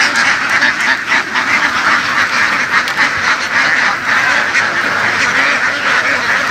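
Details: Field-herded laying ducks from western Vietnam give a dense, gravelly quacking din, many birds calling at once, slightly louder in the first half.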